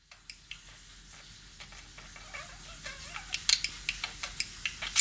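Budgerigars chatter in sharp clicks and scratchy chirps, with a brief low warbling phrase in the middle.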